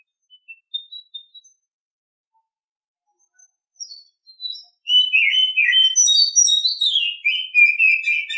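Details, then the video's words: Oriental Magpie-Robin singing in the morning, opening with scattered soft high chips, then breaking into a loud flowing warble of whistled notes that swoop down and chatter on to the end. "Nghe chim chích chòe than hót hay mỗi sáng"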